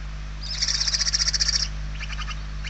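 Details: Hungry barn owl chick begging in a nest in Spain, 28 November 2023: one loud, harsh, rattling hiss of about a second, finely pulsed, then a softer rasp, low hum behind.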